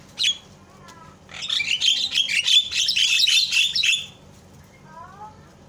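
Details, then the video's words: Javan myna chatter meant to provoke other mynas into calling: a brief sharp note, then almost three seconds of loud, dense, harsh chattering with scratchy squeaks, fading into a few soft whistled notes. "SUARA INI MAMPU BIKIN JALAK LAIN PADA TERIAK"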